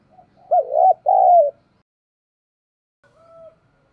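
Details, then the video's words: Spotted dove cooing, used as a lure to provoke a dove into cooing: two loud low hoarse coos, the second longer and falling, then a faint softer coo after a pause. "Chim Cu Mồi/ cu gay kich boi nhanh noi gù"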